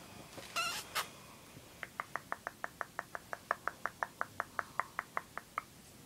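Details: Pet bird greeting its owner on their return home from work: after a brief spoken greeting, a long run of short, sharp chirps repeated rapidly and evenly, about five or six per second, indoors.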